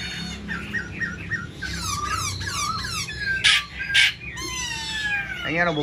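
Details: A caged black-throated laughingthrush, wing-dancing and fanning its tail, gives clear, slurred whistles, about two notes a second, with a few rough bursts and a man's voice faintly behind.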